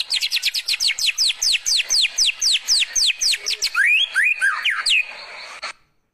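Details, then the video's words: Young forest white-rumped shama singing canary-like phrases: a fast series of loud, sharply down-slurred whistles, about four per second, then a few lower swooping notes before fading out. "Tembakan Kenarian Burung Murai Batu Bongkar Isian"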